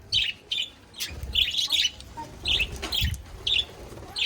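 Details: Pet budgies chirping, recorded 5 February 2024: bursts of scratchy, high chattering chirps every half second or so, irregular, with light knocks and rustling between.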